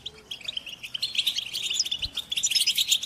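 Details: Group chorus of European goldfinches, used as a stimulation track to make captive males sing; dense high chirps and twittering trills, sparse at first, then swelling into continuous overlapping chatter after one second.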